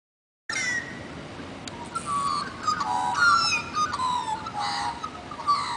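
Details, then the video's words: Australian magpies singing at Dimboola, Victoria, Australia, carol in rich, flute-like whistles, with gliding and falling notes overlapping in a continuous warbling chorus. "Magpies Singing"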